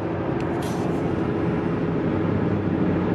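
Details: Loud, continuous vehicle rumble dominates, with a few brief high scrapes near the start and no animal calls.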